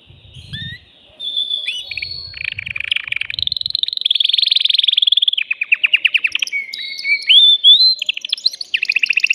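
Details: Excited male canary singing to prepare a female for mating: an opening whistle, then buzzy rolling trills building into fast repeated clipped notes and slurred whistles, steady and loud throughout.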